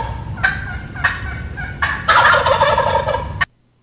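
A male Wild Turkey gobbles: a few quick, throaty notes, then a long, rapid, rattling gobble before it stops abruptly.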